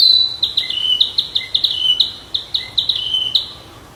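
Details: Flycatcher in the wild: a fast string of high, sharp notes, each dropping in pitch, repeated roughly four times a second in a steady, bouncing rhythm over quiet surroundings.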